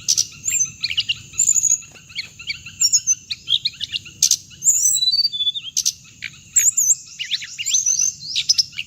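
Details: Playback of a hồng hạnh bird used for luring birds to traps: a long, varied stream of high chirps, squeaky slurred whistles and brief buzzy bursts in irregular phrases over a constant high hiss.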